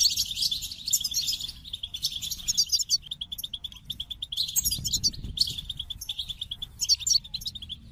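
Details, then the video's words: Bright twittering goldfinch song in quick bursts of chattering, metallic notes, with short breaks between phrases and a steady low background rumble. "The Captivating Call of Goldfinches: Musical Wonders of Nature"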